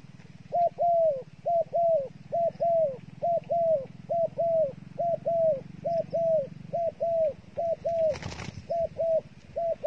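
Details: Dove used as bait by a trapper, calling with a long run of paired coos near 600–700, a short note then a longer falling one, about once a second, with a low hum throughout and a brief broadband knock near the end.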